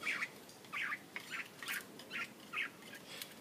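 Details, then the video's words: Mongolian lark singing and dancing on a stage, giving short bright chirpy bursts about every half second, six or seven in a row, over a faint hiss. "Mongolian lark singing"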